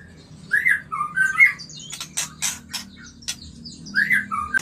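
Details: White-rumped shama singing its mating song to prompt breeding: mellow whistled notes, then several harsh rasping bursts, then whistles again, over a steady low hum.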